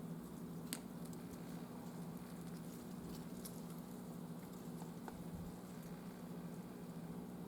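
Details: A constant low electrical hum runs throughout, broken only by a few faint scattered ticks and taps, with no animal calls audible.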